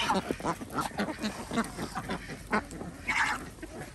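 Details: Ducks during feeding on an organic village farm in Andhra Pradesh, India, producing rough, repeated quacks from several birds at once, with a louder, higher burst near the end.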